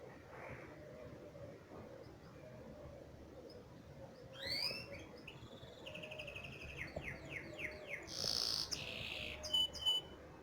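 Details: Canary singing, a recording meant to teach young birds their song: quiet start, then from mid-clip a run of swooping whistles, fast repeated trills and loud buzzy rolls near the end.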